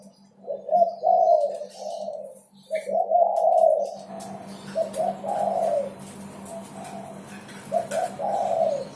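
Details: Persistently singing spotted dove, its song used to prompt other birds to call: repeated mellow coo phrases, clear at first, then joined by a louder background hiss and low hum halfway through.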